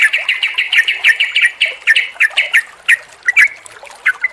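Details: Sooty-headed bulbul recording meant to coax singing from a silent, stressed bird: a fast series of harsh, clipped chirps about four per second, thinning into scattered notes.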